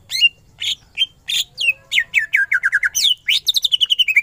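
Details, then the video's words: Energetic greater green leafbird song full of 'tembakan' bursts: separate buzzy whistled phrases, then accelerating strings of falling chirps ending in a fast rattling trill of descending whistles. "Cucak ijo gacor full tembakan ngentrok"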